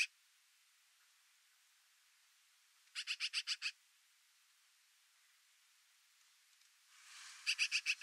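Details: Several Black-billed Magpies squabbling over a deer carcass near Flaming Gorge Reservoir, Wyoming, on 6 September 2020, give two bursts of harsh, rapid chatter, about six rasping notes each, several seconds apart.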